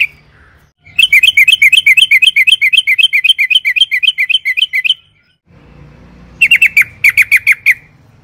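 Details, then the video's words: Yellow-vented bulbul singing a long rapid roll meant to provoke other birds into song: about four seconds of quick, evenly repeated bubbly notes, a pause, then a short buzzy burst of chirps over a faint low hum. "pancingan trucukan gacor ROPEL PANJANG NARUNG AMPUH"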